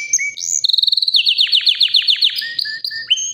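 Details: White canary about three years old, healthy and ready to breed, singing powerfully: high whistled notes slide upward, then a fast, even trill of sharp repeated chips runs into lower buzzy rolls and short rising whistles.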